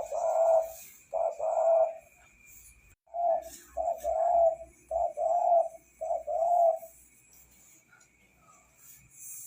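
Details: Vigorously singing spotted dove delivers repeated low, soft cooing phrases, each made of a short coo and a longer, rolling one, with brief pauses between. A constant thin high whine sounds in the background.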